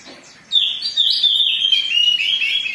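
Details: Agitated Oriental magpie-robin singing hard, a recording meant to provoke singing: after a short quiet start comes a bright, rapid stream of sharp whistles and chattering trills, shifting in pitch and held without pause to the end.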